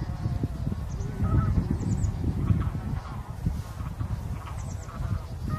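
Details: Leucistic (partly white) bean goose, a wintering migrant, met by chance on 9 March 2021; faint harmonic honking calls over a heavy low rumble of wind and background noise.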